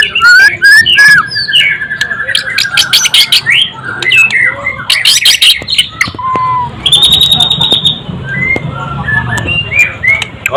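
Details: White-rumped shama (murai batu), described as golden-voiced, delivering a varied song of clear whistled notes, rising and falling slurs and short buzzy bursts, with a long level whistle midway and a brief rapid trill near the end.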